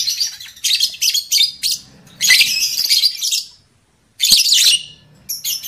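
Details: Lovebird lure calls for stimulating breeding condition in males and females: fast, shrill, ticking chatter, then longer, ringing, high twittering phrases, broken by a short silence.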